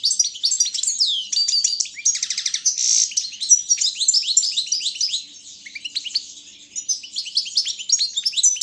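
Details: Balkan goldfinch, Carduelis carduelis balcanica, singing for a world championship held online by a Serbian breeding association; dense high twittering with quick down-slurred notes, two short dry rattles early on, and a steady flow of liquid chirps throughout.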